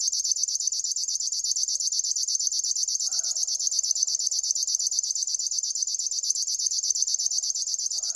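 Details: A River warbler keeps up a steady, mechanical buzzing, many clipped pulses each second at an even pace, with a soft lower call from another bird in the background.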